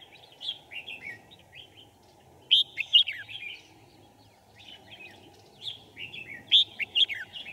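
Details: Trap decoy red-whiskered bulbul luring wild birds, recorded 5 January 2018; repeated phrases of bright, slurred whistled notes with loud accented chirps, in several bursts over a steady low hum.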